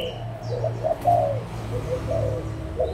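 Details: Brief burst of adult spotted doves, Malaysian and Thai stock, 16 March 2022: low hollow coos in short separate notes, one louder, over a faint background hum.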